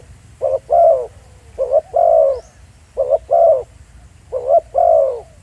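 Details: Spotted dove cooing in the field at Pha Sing, Thailand: four evenly spaced pairs of notes, each a short coo then a fuller longer coo, repeated roughly every one and a half seconds in a quiet setting.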